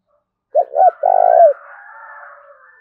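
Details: Coo of a spotted dove, 'thổ đồng' voice style: a quick pair of short notes leading into one sustained, slightly vibrating coo that bends downward, with a soft lingering reverberation afterward.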